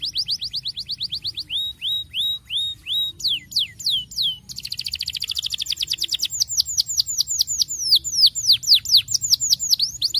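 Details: Canary song used to stimulate young canaries to sing: phrases of repeated high whistled syllables, rising then falling sweeps, switching to faster rapid trills partway through, all loud and continuous.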